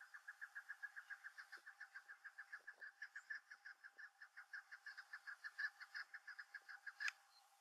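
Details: Chukar partridge (Alectoris chukar), call: calling to the rest of the flock.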